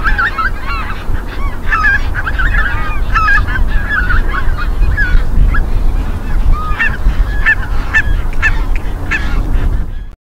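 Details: Greater white-fronted geese, Midden Delfland, Netherlands, 18 January 2020: many birds call together in quick, rising and falling yelps, a dense chorus over low background rumble, ending abruptly.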